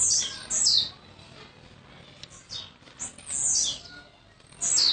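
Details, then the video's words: Blue-black grassquit, a young bird from Jacarepaguá, Rio de Janeiro, that arrived the day before, giving short high buzzy descending notes in bursts about every second or two, with quiet background. "Tiziu de cara "40 GRAUS x FORA DE CONTROLE ( Bebê de Jacarepaguá RJ )"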